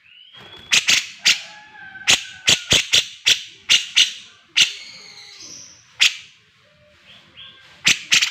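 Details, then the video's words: Grey-cheeked bulbul singing vigorously in a master recording for training cage birds: sharp, abrupt clicking notes in irregular bursts mixed with high whistled phrases, some gliding, with brief pauses between outbursts. "burung cucak jenggot gacor || masteran cucak jenggot"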